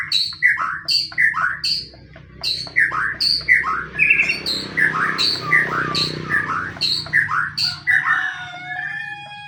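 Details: Fighting white-rumped shama singing as bait for other shamas: a rhythmic repeated pair, a high clear note followed by a lower down-slurred whistle, roughly every half second, over soft background noise.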